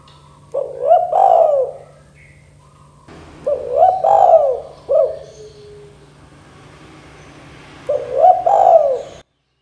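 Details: Spotted dove in the 'kuk 2' calling style, played so that young birds start calling: three low cooing phrases, each with a short hooked lead-in and a drawn-out mellow note. Faint chirps from another bird and a low hum sit underneath.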